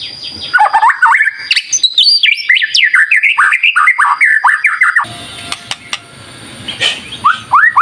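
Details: Lively White-rumped shama lure song to stir other birds into singing: rapid run of short whistled notes and upswept chips, then a quieter pause with faint hiss before fresh rising whistles.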